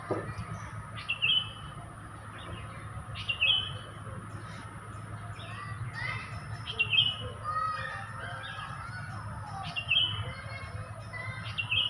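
A sooty-headed bulbul gives short, bright chirping phrases every two to three seconds over a steady background hum.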